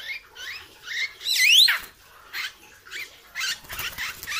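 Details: Hair-crested drongo, a bird in training, gives varied scratchy calls with a loud rising whistled sweep near the middle, followed by rough chattering notes.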